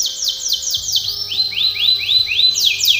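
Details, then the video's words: Canary singing training song: a run of fast falling sweeps, a short pause, then slower upward-curving whistles repeated about three times a second before falling sweeps return; soft low hum. "canary singing / canto Canario cantando | canary training song"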